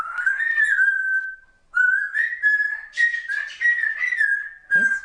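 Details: Under-one-year-old female pet African grey parrot chattering words: a near-continuous run of whistled, vowel-like tones with wavering pitch and rhythmic syllable pulses, ending in a brief sharp sound.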